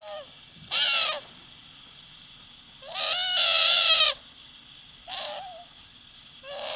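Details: A female owl in Moscow, Russia gives loud, harsh, wavering squawks in bursts, expressing unhappiness as her owner plays with her feet.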